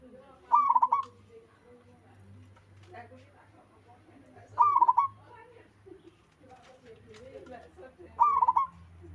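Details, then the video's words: Local zebra dove in lively song, other birds joining in: three trilled cooing bursts of rapid pulses spaced about four seconds apart, with softer distant bird calls and a low rumble in between. "Suara burung perkutut lokal alam gacor sekali putar lainnya ikut nyahut"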